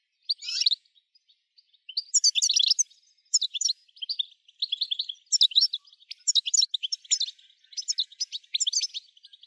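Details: Goldfinch song, European species, intended to rouse goldfinches into singing nonstop: loud clustered bursts of buzzy, tinkling high notes, each phrase about a second long, separated by brief pauses.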